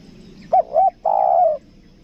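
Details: Lure spotted dove, 'kuk dua' type from Lombok: a quick wavering double coo followed by one long, smooth, slightly falling coo, clear over quiet background.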